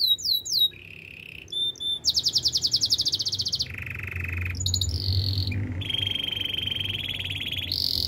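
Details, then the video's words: Varied canary song from the wild, with quick whistled sweeps, then a loud high rattling trill, then lower buzzy trills and sustained rolling phrases that shift in pitch. "melodies canary bird sounds in the wild"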